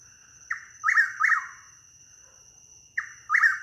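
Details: Chuck-will's-widow spooked at night in woods in Dunedin, Florida, flying away with strange flight sounds: harsh, croaking squawks with slapping and twanging sounds in two quick pairs, about two seconds apart, over a steady high insect drone.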